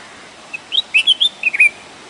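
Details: Red-whiskered bulbul song phrase: a soft introductory chirp followed by a rapid run of about six loud, rich whistled notes, warbling up and down, ending with a slurred falling note; quiet hiss behind.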